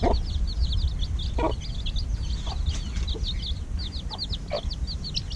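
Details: Domestic chicks hatched just over a week earlier, heard at evening feeding: a dense, continuous chorus of high, thin peeps, each a short downward-slurred cheep, overlapping rapidly, over a steady low rumble with a few soft thuds.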